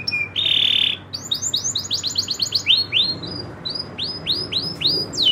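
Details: Loper-style song of a local canary: a steady buzzy note opens, then quick arched whistles tumble in a rapid run before slowing into evenly spaced descending sweeps, high and bright throughout.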